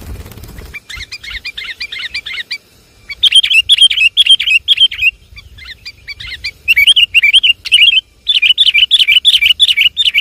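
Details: Javanese sooty-headed bulbul lure call: repeated bouts of rapid, warbling chirps, each a fluttering wavy note, grouped in bursts separated by brief gaps, around two per second, with faint clicks at the start.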